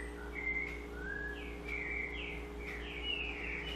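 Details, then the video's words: Sabiá song style of the double-collared seedeater, rich whistled notes that swoop up and down in quick succession, clear and fairly loud over a faint steady hum. "Sabiá Coleira"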